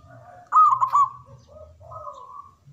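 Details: Local zebra dove singing loudly in the manggung style, a short burst of rolling, rippling coos near one pitch, followed by softer, lower coo phrases and faint background rumble.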